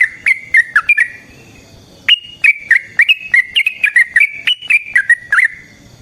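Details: Sooty-headed bulbul in long rapid 'ropel' song, used as a lure to make other bulbuls respond and as a model for training birds: quick run of bright whistled notes with sharp clicky starts, a brief pause, then another steady string.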